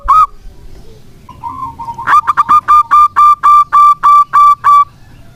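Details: Singing local zebra dove, a lure for doves that have gone quiet: a single opening coo, a soft rising lead-in, then a quickening string of full, bell-like notes settling into a steady rhythm.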